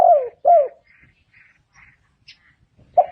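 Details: Spotted dove calling as a lure: two falling, arched coos close together, then faint twittering in the background before a final coo begins.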